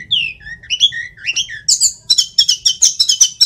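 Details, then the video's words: Indonesian mountain sulingan (tledekan) flycatcher singing briskly: wavering whistled slurs climbing and dipping, then a rapid series of sharp, high double notes repeated about five times per second. "Sulingan gunung / Tledekan gacor"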